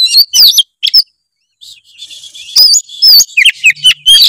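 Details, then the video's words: Oriental magpie-robin in 'gacor full isian' song used to stir lazy birds: choppy whistled phrases, a short hush with soft buzzy twitter, then a lively string of rising and falling whistles. "kacer gacor full isian memancing kacer malas bunyi menjadi gacor"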